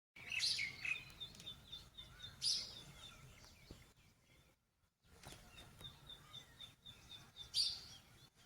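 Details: Birds chirping at sunrise in the mountains of Munsyari, Uttarakhand: high, thin chirps and short twittering bursts, some louder notes near the start and end, a brief silent gap midway, faint rustling background.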